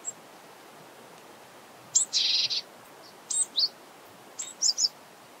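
Japanese Tit calling close by: a thin high note, then a harsh buzzy burst, followed by sharp, high two-note calls. The background is quiet.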